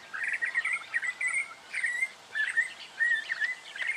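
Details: Recorded in Victoria, Australia, in October 2011, a black honeyeater gives a continuous scratchy, warbling chatter of short rising and falling notes in quick bursts, repeated steadily for four seconds.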